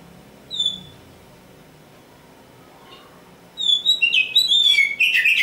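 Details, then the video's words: Oriental magpie-robin, black form known as kacer hitam, a kept bird called a future champion: one thin high whistle, a pause, then a rapid burst of varied sweet whistles and trills over a quiet background. "Nyanyian si "Kacer Hitam"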